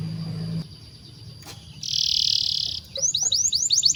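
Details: Canary master song for training young birds: after a quiet start with low hum, a buzzy sustained trill plays for about a second, then quick rising-and-falling notes repeat.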